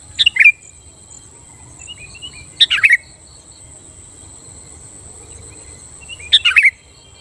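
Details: Sooty-headed bulbul singing to goad rivals into answering, three brief bubbly bursts of bright slurred whistles spaced a few seconds apart, with a thin continuous high hiss and faint soft chirps between them.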